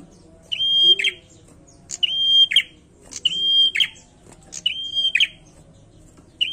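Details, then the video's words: Bar-winged prinia song of even, high, drawn-out whistled notes. Each ends in a harsh, crackling flourish. Four phrases follow in quick succession, roughly every 1.3 seconds, with a quiet background. "PRENJAK GACOR"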